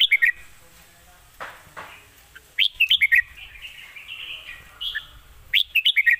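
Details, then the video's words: Red-whiskered bulbul singing: bright chirpy whistled phrases in short bursts, near 0.3, 2.7–3.2 and 5.6–6.1 seconds, with faint rustling between. "สำนวนดี ปากเบานกดาวรุ่ง"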